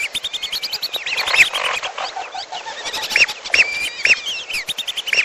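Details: Lesser whistling duck and piolo calls combined as a trapping lure: dense high whistled flock chorus, with several loud, clear arched whistles in the second half.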